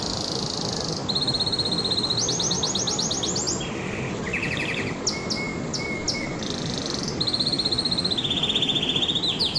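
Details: Canary singing a sequence of rapid trilled tours, each phrase held at one pitch before switching: a high rattling roll, a lower pulsed trill, a thin steady whistle, then fast repeated notes rising to a sharp close over a steady background hiss.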